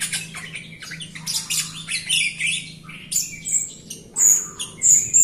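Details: A Jalak Rio myna sings as a lure for other Rio birds and birds that sing little. Harsh squawky bursts give way to sharp, piercing high whistles in irregular bursts, with a low electrical hum beneath.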